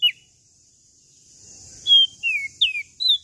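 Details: Tailorbird from Lombok gives a few high, sharp whistles: an opening falling chirp, silence, then slurred whistled notes and a steep drop, against a soft high hiss.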